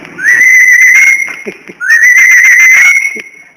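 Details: Hill myna, a talking bird told to cough that laughs loudly instead, giving two long, loud, level whistled notes, each swooping up at the start and held about a second, with faint voices and clicks between them.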